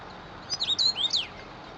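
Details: Common rosefinch (Carpodacus erythrinus) singing one short, clear whistled phrase of a few slurred notes, rising and falling, lasting under a second against a steady hiss.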